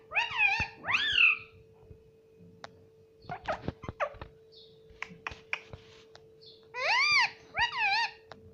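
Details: Pet parrot saying "mummy" and "papa" indoors: two arched, voice-like syllables at the start, a middle stretch of clicks and soft chatter, then two more loud rising-falling syllables, over a constant hum.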